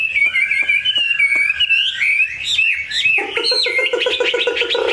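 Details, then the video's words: Caged Chinese hwamei singing a loud, rich song: long clear whistled phrases sliding up and down, then a burst of fast, varied, chattering notes with quick repeated elements near the end. "Họa mi"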